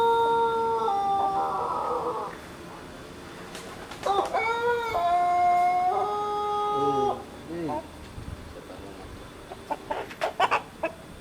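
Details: Young Pelung roosters sunning themselves in Sukabumi regency, West Java, crowing in several long, level, harmonic drawn-out notes that overlap and shift pitch, with brief clucks and faint talk in between.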